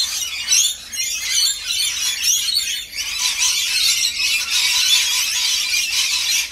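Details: Dense, continuous shrill chattering of many rainbow lorikeets at feeding time, harsh screeches piling over one another, with a short lull near the three-second mark before the noise swells again.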